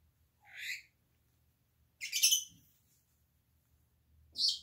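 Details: A Senegal parrot, one of ten kept in an office turned bird room, gives three sharp, high squawks, each about half a second long and spaced roughly two seconds apart, with a faint low hum beneath.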